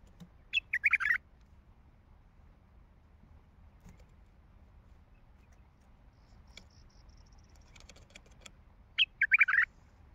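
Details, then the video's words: A wild Baghdadi bulbul, described as having a heavy throat, sings two short, bright warbled phrases, one near the start and one near the end, separated by near silence with faint background noise. "تغريد بلبل وحشي بغدادي حنجره ثكيله"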